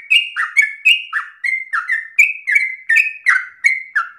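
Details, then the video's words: Rapid, insistent song of a yellow-vented bulbul, a long-breathed phrasing said to be easy for young birds to copy. Paired bright notes, one level and one falling, repeat in a lively, slightly uneven rhythm. "Trucukan gacor ropel ngotot nafas panjang ini cengkok paling gampang ditiru trucuk bahan"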